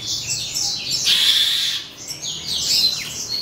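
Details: Imitative song of an Asian pied starling: continuous bright, high chatter of short whistles and sweeping notes, swelling around the middle second and again near the end.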